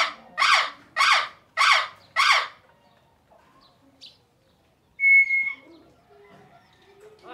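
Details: Four loud rasping squawks from a parrot, roughly one every half second, followed by silence and a single pure whistled note.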